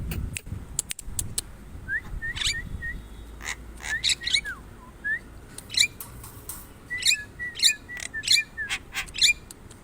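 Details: Javan myna giving scattered short whistles and downslurred notes between loud dry clicks and rasping bursts, with a low rumble early on.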